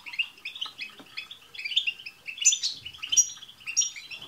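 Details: Group of European goldfinches singing together in a chorus meant to prompt a pet goldfinch to sing: dense overlapping twittering, high tinkling notes and buzzy trills in quick, irregular bursts, with a few sharp piercing whistles.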